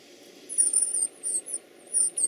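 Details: Baby birds being fed give thin, very high squeaky begging notes in three short bursts, each slurred and wavering, over a low steady hum.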